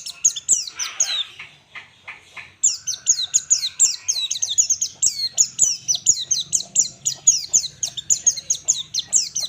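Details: White-eye in full ngalas song, as a master recording for trainee birds: a long, steady stream of fast, piercing, falling notes repeated several times a second after a short raspy opening.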